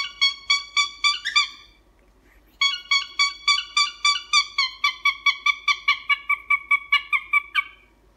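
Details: Pet cockatiel honking in long rapid runs: a burst of about six horn-like honks, a pause, then a steady stream of nearly twenty more nasal honks in even rhythm.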